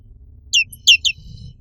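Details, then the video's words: Three bright, high, falling chirps from a black-capped white-eye of Indonesia, delivered in rapid succession with the middle note loudest. "SUARA BURUNG PLECI BLACK CAPPED"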